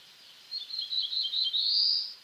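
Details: Song of a black-throated blue warbler: several thin, high, jerky notes strung together, then a buzzy, rising finale that sweeps upward. Faint hiss behind it.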